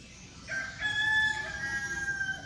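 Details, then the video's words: Seven-month-old red junglefowl decoy rooster from Bình Phước province, Vietnam, gives one long crow: a harmonic, slightly rising opening that levels into a sustained tone lasting about two seconds, over a low background rumble. "Cánh tốt, siêng gáy gà 7 tháng tuổi, gà mồi, gà đổ mái"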